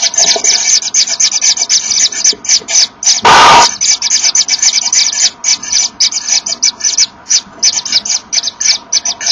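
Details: Common Kingfisher pair at the nest, 24 August 2013 at 14:01. The male makes room for the female arriving with a small fish, and the two blow at each other, apparently to locate one another. Rapid breathy hissing bursts repeat several times a second, broken by one loud noise burst.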